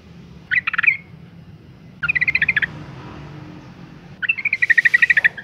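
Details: Breeding female yellow-vented bulbul calling to males: three quick chattering bursts, each longer than the last, the final one a sustained rapid trill over soft hum.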